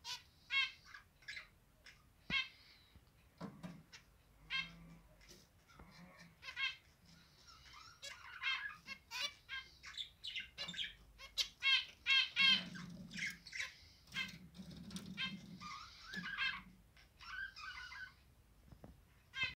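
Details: A pet zebra finch, from a pair with three chicks that left the nest three days earlier, sings a busy run of nasal, buzzy notes mixed with sharp clicks and rasping phrases.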